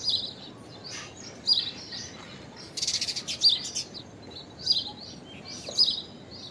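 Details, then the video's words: Common myna, an urban-adapted bird native to Asia, mixing squeaky whistled chirps with a harsh buzzy rattle in the middle, calls spaced irregularly over about six seconds. "Common Myna Unusual Call! Common Myna Song! Common Myna Sound! Common Mynah Call! Song! Sound!"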